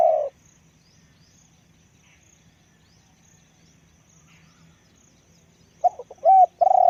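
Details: Spotted dove decoy bird known for its deep voice: a brief low hum at the start, a long quiet gap with faint background, then a stuttering wavering coo leading into a steady note.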